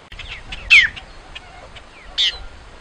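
Great-tailed grackle giving two sharp, descending whistled notes about a second and a half apart, with faint chattering and squeaky notes between.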